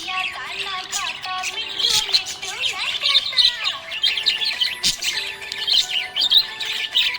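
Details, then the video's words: Happy budgerigar giving busy, warbling chirps and rapid tweets without pause, mixed with background music carrying gliding melodic notes and an occasional click. "Happy budgie chirping sound"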